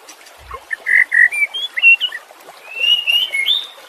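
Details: White-rumped shama training song for caged birds that have stopped singing: rich, slurred whistles in short phrases, a brief pause, then a rising string of sweet, liquid notes over a light background hiss.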